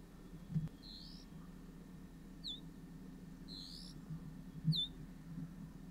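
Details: Male Dark Grey Bush Chat at its nest in a hillside earth bank in a Himalayan sanctuary, fetching grubs and bees for its chicks; high buzzy rising notes alternate with short sharp downslurred ticks every second or two over a steady low hum.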